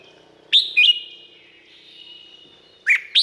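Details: Red-whiskered bulbul in Thailand singing a two-note whistled phrase, then after a pause another pair of sharp, rising notes. Ringing echoes follow each phrase.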